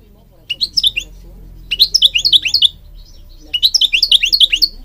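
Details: European goldfinch song for training birds, tied to Morocco: three bursts of quick tinkling twitters, each about a second long, separated by brief pauses, with a faint low hum beneath.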